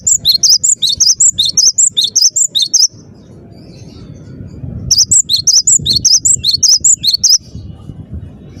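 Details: Cinereous tit (gelatik batu) belting out its song: about a dozen crisp, high two-note phrases in quick succession, a pause, then another equally fast series, over low background noise.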